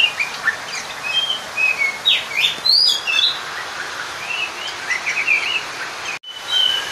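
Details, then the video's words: Oriental magpie-robin song meant to call a rival and stir other males to aggression: clear whistled notes, slurred upward and downward sweeps and short trills in a lively varied sequence, with a brief break near the end. "Pancingan suara Burung kacer/ mencari lawan Bikin Emosi seketika"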